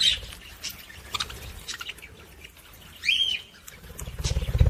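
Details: Budgerigar chatter meant to stimulate females to mate: faint scattered chirps, one clear rising-falling whistled squeak, and low rumbling noise at the end.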